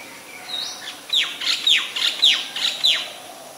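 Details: White-vented myna, Ubon Ratchathani, Thailand, 26 December 2020: after a short rising note, a quick series of six sharp, high, down-slurred squawks, roughly two per second, over a light hiss.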